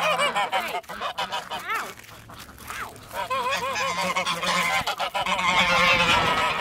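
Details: Domestic Emden geese defending their yard on a winter farm give a noisy chorus of harsh, rapid honks, some rising and falling, building louder toward the end.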